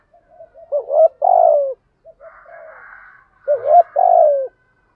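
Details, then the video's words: Spotted dove lure call meant to provoke other doves into calling, with cock and hen birds described: two low coo phrases, a short hooked note leading into a drawn-out descending coo, separated by a faint buzzy murmur, in a quiet setting. "tieng chim cu gáy thúc gù Gáy Gọi bài bản kích bổi rất xiêng gáy/ chim cu mồi chuẩn kích bổi"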